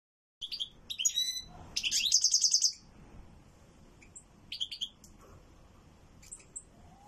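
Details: European goldfinch singing loudly, bursts of high tinkling twitters and a dense buzzy trill, with pauses and scattered single chirps between phrases.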